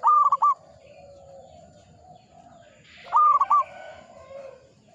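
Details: Local zebra dove singing actively: a loud, clear cooing phrase of a long held note followed by a short, rolling coo, given twice about three seconds apart over faint background chirps and a soft low rumble.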